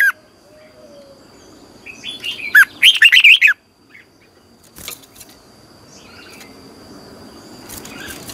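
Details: Red-whiskered bulbul in morning training, caged, Vietnam: after faint chirps, a brief fast jumble of slurred notes, followed by scattered clicks and a soft noisy background.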